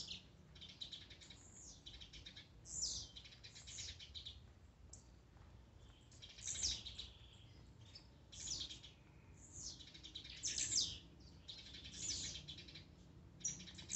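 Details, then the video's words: A blue-black grassquit repeats short, high, buzzy bursts roughly every one to two seconds over a faint low background hum, songs and calls meant to excite other grassquits. "esquente de tiziu,cantos e macheados"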